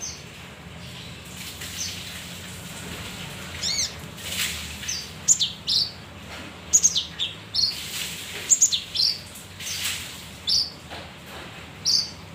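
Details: Male kinoi (leafbird) singing as a lure for other birds: a lively run of sharp high chirps and short whistled notes, bunched irregularly over twelve seconds, some doubled, with steady low background hum.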